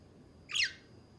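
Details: Budgie chatter: one brief, harsh squawk sliding downward, about a quarter second long, set against a low steady background hiss.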